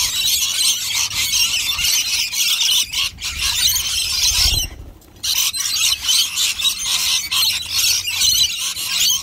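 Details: A feeding flock of rainbow lorikeets at nectar; steady high-pitched screeching chatter from numerous birds, briefly dropping out around the middle before the noisy squealing resumes.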